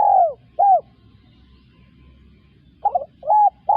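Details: Spotted dove coos: the end of one phrase, a long falling note and a short coo, then a pause and the stuttered opening and short coo of the next phrase.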